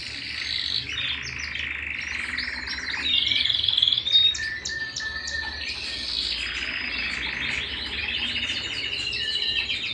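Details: Canary singing at home, a lively mix of high chirps, sliding whistles and rapid rolling trills, briefly louder midway, over a steady low hum.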